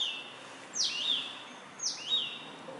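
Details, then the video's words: Song of an Indian robin, the small black and white bird that perches on branches or wires near houses: two sweet phrases, each a steep falling slur into a brief level whistle, over a steady high tone and faint hiss. "The best bird song, Indian Robin singing"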